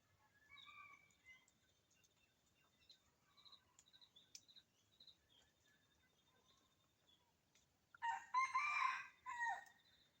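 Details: Morning crowing of wild red junglefowl, two or three calling in forest next to a home: thin whistled notes of other birds first, then a loud hoarse crow in two harmonic bursts near the end.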